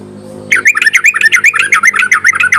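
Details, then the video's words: Yellow-vented bulbul (trucuk) in ropelan style, used as a lure to rouse bulbuls reluctant to sing: after half a second of quiet, a dense, fast run of bubbly, chattering notes pours out without a break until the end. "ropelan dan panggilan burung trucuk ini sangat memikat bagus buat pancingan trucuk malas bunyi"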